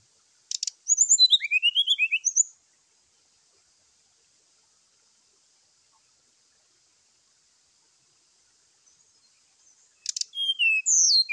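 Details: Brown-chested jungle flycatcher (SRDC) giving a morning fighting call meant to provoke other birds. It delivers a two-second burst of high, quick, sliding whistled notes, then a long silence, then another burst.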